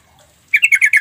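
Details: Sooty-headed bulbul calling, used to provoke untrained or mute bulbuls into replying. After half a second of quiet, a run of six scratchy, rapid notes follows in quick, even rhythm.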